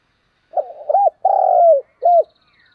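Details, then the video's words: Spotted dove coo sung to attract other doves, a soft wavering lead-in, an arched note, a long drawn-out slightly falling coo and a crisp closing note, with a faint high chirp from another bird near the end. "tiếng cu gáy thúc và gáy gọi/ Chim Cu Gáy Mồi"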